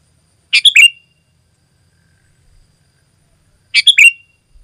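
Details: Sooty-headed bulbul phrase from a lure and tutor recording; a short bubbly chirped phrase ending in a thin level note, given twice about three seconds apart.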